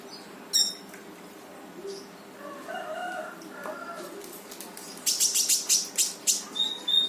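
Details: Brown-throated sunbird (konin) singing in full, lively 'gacor' form with 'tembakan' bursts, used to prompt quiet birds to sing: scattered high chirps, then a fast run of sharp, evenly spaced high notes near the end.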